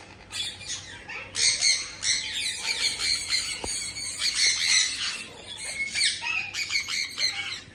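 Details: Blue male Indian ringneck (rose-ringed) parakeet guarding his nest box, giving harsh, screechy squawks in dense overlapping bursts, high-pitched and nearly continuous throughout, with brief chirps between.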